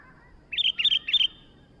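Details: Sooty-headed bulbul (kutilang) calling briskly, three quick, bright, whistled notes packed into under a second against a quiet, faintly noisy background.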